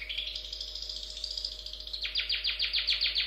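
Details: Long-tailed shrike song opens with a slurred, wavering whistled run, then switches to a rapid series of sharp descending chirps, about six per second. A faint background hum is present.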